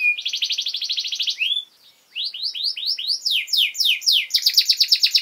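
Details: Canary singing to train young birds: a fast even high trill, a brief pause, then a run of descending sweeps building into another rapid rolling trill.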